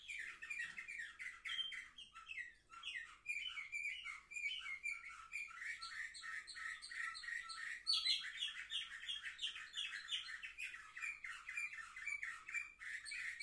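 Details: Seven-month-old young canaries recorded on 10 November 2023 sing a dense, rapid warble of chirps, trills and twittering phrases. The song shifts into a brighter, higher burst of quick repeated notes around the middle.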